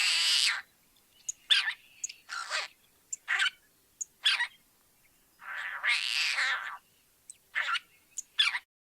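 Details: Tricolored Blackbird, a mostly Californian colonial species, singing harsh, nasal, catlike drawn-out notes between short sharp chips and buzzes, less musical than a Red-winged Blackbird's song.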